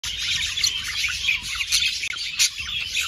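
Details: Budgerigars chattering, presented as sound to stimulate breeding; dense, continuous high chirps and warbles overlap from several birds, with sharper squeaky notes standing out near the middle and end.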